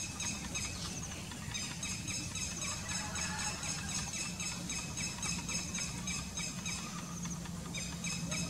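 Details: Red-wattled lapwing chicks, recorded 15 August 2021, give thin, high peeping notes, repeated rapidly about four times a second over a steady background rumble and hiss.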